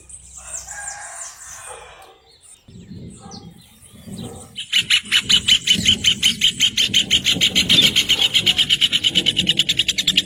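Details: Rufous hornero: scattered high chirps and a rough noisy stretch, then a powerful, accelerating run of loud, pulsing repeated notes lasting over five seconds.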